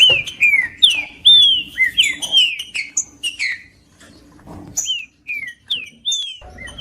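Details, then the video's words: Green-winged saltator in full song, used by breeders to warm up a cold bird for contests: bright descending whistles in quick bursts, a pause with faint rustle, then more slurred downward notes. "TRINCA FERRO CANTANDO"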